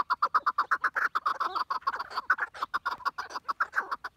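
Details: Chukar partridge calling in a steady series of short clucking chuck notes, about four per second, each a brief burst of matching pitch, repeated evenly throughout.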